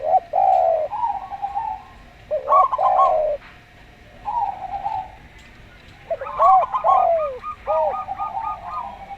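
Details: Slow-voiced local zebra dove mixed with a calm-voiced Javan derkuku as singing bait: rippling, stuttered high coo phrases answer lower, smooth, bowed coos, a few seconds apart.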